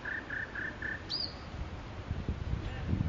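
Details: In Makui park a nightingale gives four even, mid-pitched piping notes, then a sharp rising-and-falling whistle, over low rumbling background noise.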